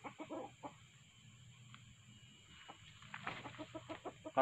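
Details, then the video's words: Red junglefowl clucks heard during trapping with a decoy male and recorded female calls: short, low clucks in loose groups at the start and end, a quiet gap between, with steady low background hum. "Kokok/Mikat ayam pakek pikat jantan+suara btina"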